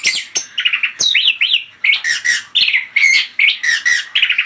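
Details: Anis kembang song played as a lure: rapid run of whistled, chattering notes, repeated short slurred phrases with trills, loud and continuous throughout.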